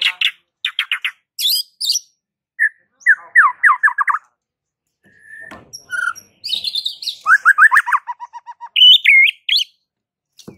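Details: Varied song of a white-rumped shama: clusters of rapid chipping notes, single whistles, quick trilled runs and a looping whistled flourish near the end, with brief pauses between phrases.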